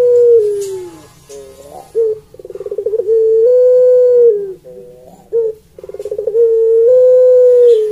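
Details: Puter pelung (Barbary dove) cooing sweetly in a repeated pattern. Fast rattling pulse bursts lead into smooth, level, long-held low notes, with short gliding and slurred notes between phrases. The sequence recurs several times.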